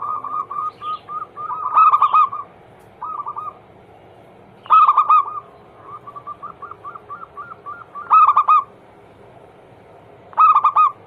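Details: Zebra dove (perkutut) anggungan song used daily as a lure to make other doves sing: rapid stuttering coos in short runs, then louder rich bursts roughly every three seconds, over a constant low background hum.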